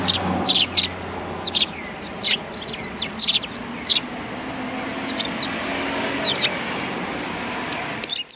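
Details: Welcoming sparrows at a cultural hall forecourt, 7 February 2020: clear, chirpy notes, some slurred downward, coming in frequent bursts early and sparser later, with low urban background noise.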